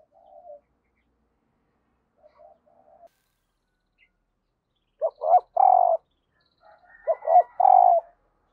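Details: Spotted dove decoy bird cooing to call new wild birds: faint soft notes at first, then two loud three-part coos, a short note, a swelling note, and a long steady hoot.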